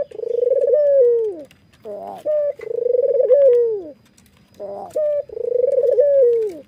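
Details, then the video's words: Laughing calls of a white, red-eyed Barbary dove while nodding, three rounds roughly every two and a half seconds, each a buzzy onset and brief clear note, then a quick rolling coo sliding down. "PUTER manapun pasti RESPON kalau sudah dengar suara puter putih mata merah ini ngangguk dan tertawa"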